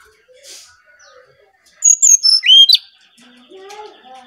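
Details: Bali brown-chested jungle flycatcher singing as a lure: a quick cluster of high whistles sliding downward into a rising note, with faint lower chirps before and after.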